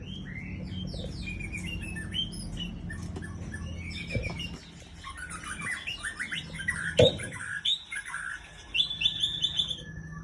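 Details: White-rumped shama of the Aceh type, a breeding hen, singing a rich, varied stream of rapid whistles, trills and chattering phrases at high pitch, with brief pauses and a steady low hum underneath.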